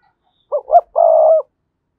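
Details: Spotted dove cooing to lure rival wild males to come and fight: two short soft notes, then one longer low note with a quavering, rolling texture, in an otherwise silent, clean recording.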